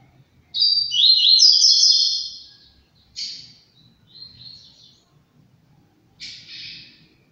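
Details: A captive-bred double-collared seedeater (coleiro) from a breeder sings a high, buzzy trilled phrase lasting about a second and a half, then gives three short chattering bursts spaced a second or two apart.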